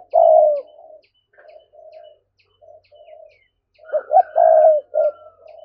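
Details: Thúc-style spotted dove cooing to excite wild doves: a loud low coo, then several soft distant coos, and finally a loud double-note-and-long-coo phrase over faint higher tones.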